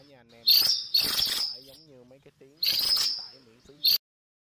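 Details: Cuckooshrike flock call: four coarse, screechy bursts in under four seconds, the first two long and rasping, the last short. Low, warbling tonal notes from another bird sound beneath them.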